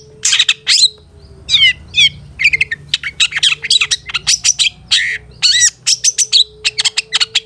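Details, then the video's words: Long-tailed shrike singing for caged-bird training: energetic mix of harsh rasps, trilled whistles and rapid scratchy chirps packed closely together, with a faint steady tone in the background. "Masteran Suara Cendet Satu Titik Nagen"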